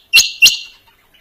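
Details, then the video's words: Two loud, harsh, abrupt notes from a calling quail, each a bright rasping burst with a ringing tail, spaced about a quarter second apart. "Dhoghla Batair Ki Awaz | Harlequin Quail Calling | King Quail Calling | Female Rain Quail Calling"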